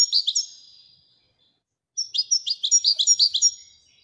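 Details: European goldfinch, called a royal goldfinch, singing: a short burst of high twittering notes, a pause of about a second, then a fast run of bright, slightly buzzy chirps repeated several times a second.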